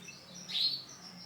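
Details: A single brief, high, bright chirp from a male canary of orange and black colour variety, rising and falling quickly amid soft background noise.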